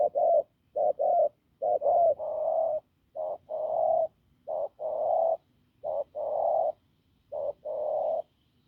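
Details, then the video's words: Hoarse, strong cooing from a wild-caught spotted dove: quick short notes lead into longer drawn-out hoots, the pattern repeating in several phrases across nearly nine seconds. "Bổi đồng khàn cứng gù"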